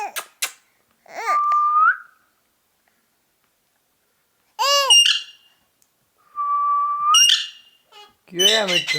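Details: A ringneck parakeet alternates steady whistled notes that bend upward at the end with quick speech-like syllables and rasping bursts, separated by pauses.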